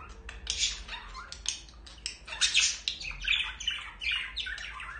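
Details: A pair of budgerigars during mating and courtship: continuous rapid warbling chatter of short, scratchy, high notes and squawks, pulsing in quick bursts with little pause across the whole stretch.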